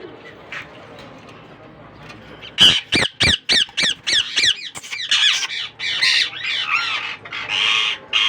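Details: Newly hatched Indian ringneck parakeet chicks from a young captive pair's first breeding, calling after a quiet start: a fast burst of about eight harsh, clipped squawks, then rougher, longer rasping calls that run together.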